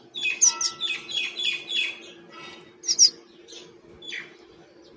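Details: A wild common myna, feeding, gives a quick run of harsh, chattering notes, about three a second, then a few scattered sharp squeaks over a steady low hum.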